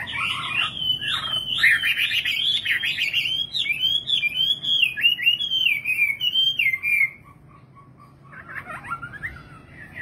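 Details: A singing nightingale delivers seven seconds of rapid, looping warbled phrases, then falls almost silent, with a few faint notes returning near the end.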